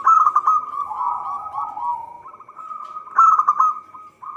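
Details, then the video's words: Persistently singing local zebra dove, used as a lure for trapping: dense, overlapping mid-pitched cooing with a rolling trill at the start and again near the end, plus faint thin high notes above. "Perkutut lokal gacor suara cocok untuk pancingan."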